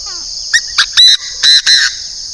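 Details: Decoy Chinese francolin from northern Vietnam: faint falling notes lead into five loud, grating syllables in quick succession. A constant shrill insect hum continues throughout.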